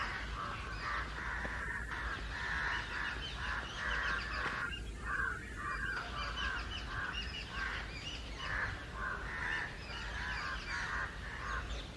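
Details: Harsh, overlapping cawing from many house and jungle crows uniting against someone from the trees, a loud continuous chorus of rasping caws with a brief lull near the middle and low rumbling noise beneath.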